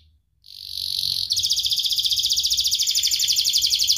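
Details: Sharp-voiced young canary singing as a lure for teaching young and lazy canaries. After a short silence comes a smooth buzzy tone, then a long, even, rapid trill that runs steadily to the end.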